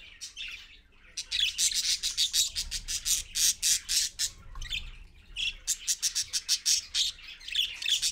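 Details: Parakeets, parent with babies, at 6:20 AM on 4.1.15 on a live camera: rapid, loud, harsh squawks repeated about three per second in two long bursts separated by a short pause.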